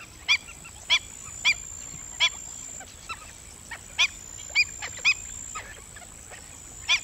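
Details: Black-winged stilt giving clear, sharp, barking yelps, singly or in quick pairs, roughly every half second to second, over quiet background chatter and a steady high whine.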